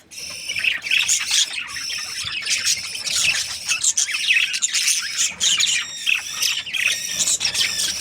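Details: Australian budgies, breeding season, calling as a flock: bursts of sharp high squeaks and warbled chirps rising and falling in loudness.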